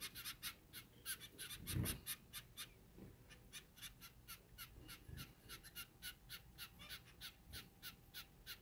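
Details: Four zebra finch chicks, the oldest about a week old, in the nest while their parents work hard to feed them; rapid rasping, broadband bursts repeat two to three times per second, with a low thump near the second mark.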